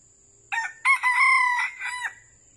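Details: Crow of a red junglefowl recorded while birds are being trapped in Vietnam: a short rough opening note, then a long strained middle phrase and a clipped falling end, about one and a half seconds in all, with a constant high-pitched tone behind.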